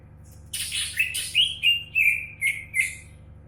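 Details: A champion greater green leafbird delivers a rapid chain of about eight bright chirps, starting with a harsh burst and then settling into clean, slightly falling notes.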